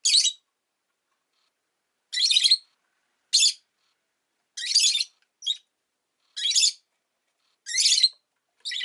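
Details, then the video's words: Pet rosy-faced lovebird calling in spaced, sharp, rasping chirps, roughly eight over nine seconds at irregular intervals, with quiet between calls. "Lovebird Chirping Sounds"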